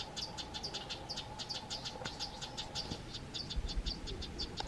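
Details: Female Amethyst Sunbird scolding a pair of Fork-tailed Drongos that came too close to her nest; rapid, sharp chips around 4–5k repeated about four to five times per second throughout, over a low steady hum and background rumble.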